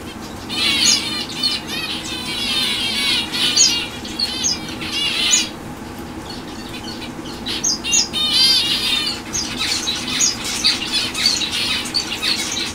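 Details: Fawn zebra finch hen, with bursts of short, high, clipped chirps and nasal calls in dense clusters. Brief quieter gaps separate the bursts, and a steady low hum runs underneath.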